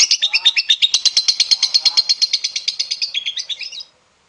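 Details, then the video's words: Lovebird trill recorded to encourage other lovebirds to sing: a run of quick, scratchy, high chattering notes about eight per second lasting nearly four seconds, fading slightly and then ending abruptly in silence. "SUARA PANCINGAN LOVEBIRD"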